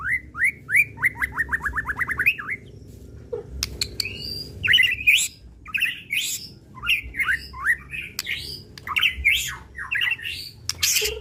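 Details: Captive white-rumped shama, a bird kept for song contests, in a rapid varied song: a run of repeated downslurred whistles, then scattered rising and falling whistled phrases and sharp clicks, with a low background hum.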